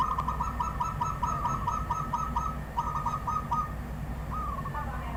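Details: Wild zebra dove delivering a fast, evenly spaced string of crisp cooing notes, briefly pausing before a shorter run and a final slurred coo.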